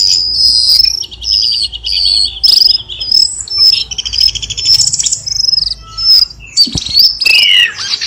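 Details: Varied phrases from a cucak keling, used as a lure to make lazy home-kept birds sing again: high thin whistles mixed with trilled buzzy bursts and sharp descending slurs.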